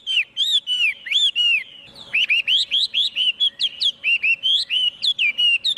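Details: Singing Chinese hwamei, no background noise: bright bouncing whistled phrases, then after a brief pause a fast string of short rising and falling notes repeated about four times a second.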